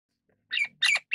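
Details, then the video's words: Golden-crested myna (Ampeliceps coronatus) giving three harsh, squawking calls in quick succession, each a short burst with bending whistled overtones, in a quiet setting. "金冠樹八哥/Golden-crested Myna"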